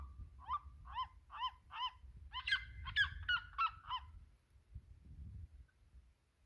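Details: Red-legged seriema (Cariama cristata), song.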